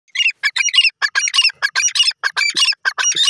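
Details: Grey francolin, called gora teetar, giving loud harsh ringing notes in quick clustered bursts that run almost without pause for a few seconds, bright and rasping, with no other sounds standing out.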